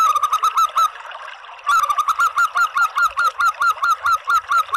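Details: Calling local zebra dove, used to attract other doves: a quick burst of short cooing notes, almost a second of quiet, then a longer, evenly spaced sequence of clipped, slightly upslurred coos.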